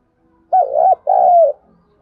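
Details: Two-phrase coo of a spotted dove used to excite and train decoys, the first part wobbling, the second long and gradually dropping in pitch, with faint low murmur around it.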